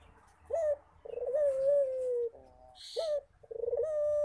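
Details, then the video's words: Repeated Barbary dove call, a brief rising yelp then a long rolling level coo ending lower, given twice in quick succession with a short hiss-like rustle between phrases. "Suara Burung Puter Rajin Berbunyi"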